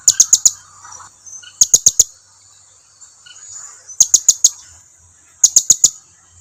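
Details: Blue-crowned hanging parrot lure call used to prompt other hanging parrots to reply: tight bursts of four shrill, very high chips, repeated roughly every one and a half to two seconds, over a faint steady high whine.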